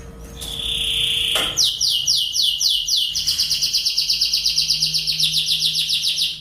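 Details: Lancashire canary, a large English-origin breed described as a very diligent singer, used as master song for young canaries: a long steady high whistle, then a fast pulsing trill of rising notes repeated about eight times a second, over a faint low hum.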